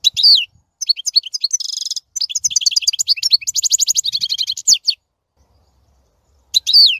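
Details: European goldfinch singing a rapid, varied twittering song of high tinkling notes, buzzy trills and sliding whistles, broken by a pause before a downslurred note at the end.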